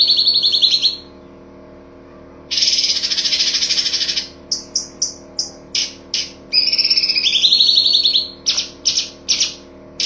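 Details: Master recording of cucak cungkok in full tembakan style for songbird training: long high buzzy trills alternating with clipped staccato notes repeated in quick bursts, a falling two-part trill near seven seconds.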